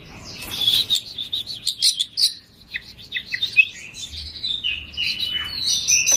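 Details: Oriental magpie-robin singing a 'gacor' isian song, softer and blurred by background noise: jumbled chirps, warbles and short whistled slurs running together.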